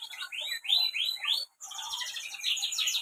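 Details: Canary from Central Java, Indonesia, singing energetically: fast repeated upward-sweeping trills and bright twittering notes with a short pause midway.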